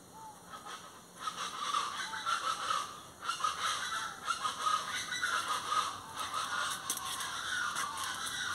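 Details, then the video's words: Plain chachalacas (Ortalis vetula) in a noisy chorus of rough, grating calls, repeated about once a second in uneven clusters, over continuous high background hiss. "chachalacas del golfo ( Ortalis vetula)"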